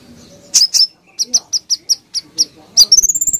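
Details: Common iora (Aegithina tiphia) singing energetically in dense bursts, a run of sharp high notes about five per second ending in a fast, bright, rising trill, offered as a training song for other birds.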